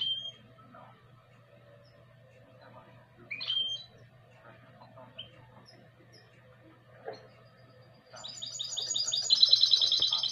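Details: Goldfinch × canary hybrid. Mostly quiet with scattered short chirps and clicks, then a loud, rapid, high trill bursts in near the end and carries on to the cut, with a constant low hum behind.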